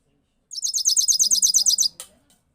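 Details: European goldfinch singing a single rolling sound: a rapid, high, even trill of about fourteen buzzy repeated notes lasting under two seconds, followed by a brief click and faint low murmuring.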